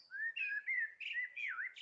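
Common Blackbird song: a short run of mellow, fluty whistled notes wandering up and down with no set tune, ending in a higher squeaky flourish.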